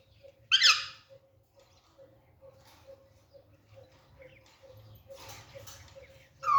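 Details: Alexandrine parakeet, green and caged, active while playing: a loud grating screech early on, softer scratchy noises later, and another harsh call beginning at the very end, with a steady soft ticking throughout.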